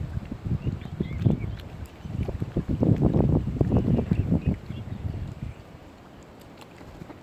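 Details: Splashing water from a boat or paddle and microphone wind rumble are all that is heard, fading toward the end.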